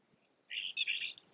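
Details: A Blue Jay feeding from a peanut wreath in a backyard gives one brief, harsh, scratchy call under a second long, high-pitched and slightly chattering, against a quiet background.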